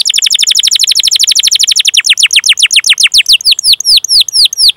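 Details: Canary song used to coach young or silent canaries into singing: a long, fast trill of chirps that gradually slows, turning into separate, fuller down-slurred whistles near the end.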